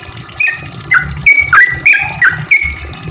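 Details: Sooty-headed bulbul singing, a recording meant to lure other bulbuls; short bright notes, each swooping down and back up, spaced about a third of a second apart, with low background rumble.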